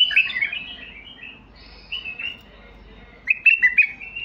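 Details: White-eared bulbul giving its song: a loud fluty warble at the start, softer mid-phrase notes, then a burst of sharp, rapid rising whistles.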